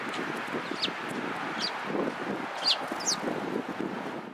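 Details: Flock of sparrows gathered at feed at a Tenmangu shrine, 24 March 2017: several sharp, high chirps scattered irregularly, with soft lower scuffling and rustling noise throughout.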